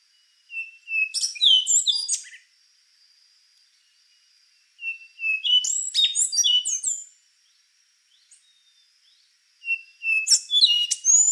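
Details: Rufous-brown solitaire, an endangered fruit-eating thrush, delivering three song phrases roughly every four to five seconds: each starts with level whistles then bursts into fast, high, tinkling and twanging notes; a faint steady high whine runs throughout.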